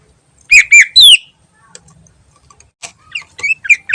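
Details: A greater green leafbird sings actively in the ngentrok style, used as a lure: three loud whistles with downward slurs, a quiet stretch with soft ticks, then a building series of short, bright chirps.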